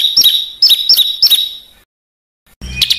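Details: Small bird (burcil) giving rough besetan notes, a master recording for caged and contest songbirds; four sharp double chips in quick succession, a fading tail, silence, then a brief harsh burst.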